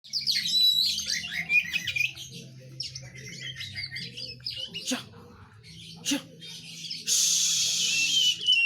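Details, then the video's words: Oriental magpie-robin singing a rapid, varied run of sharp whistled and chirping notes, then pausing; low steady hum underneath, two sharp clicks, and a loud hiss of noise near the end. "Burung Kacer"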